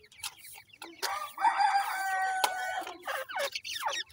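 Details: Pheasants feeding with their chicks: a loud, drawn-out whistled note held steady for over a second, with short slurred peeps before and after it.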